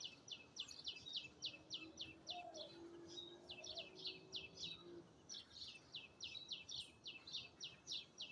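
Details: Bird chirping recorded in Azad Kashmir, a fast steady series of short high chirps about three to four per second, briefly interrupted, over a low hum and a faint lower tone in the middle.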